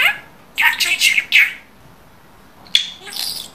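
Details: Pet budgerigar talking: a quick burst of raspy, speech-like syllables, a pause, a sharp click, then a softer squeaky phrase.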